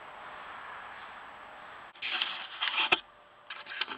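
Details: Steady low hiss with no animal voice, then irregular bursts of rustling and knocking noise in the second half.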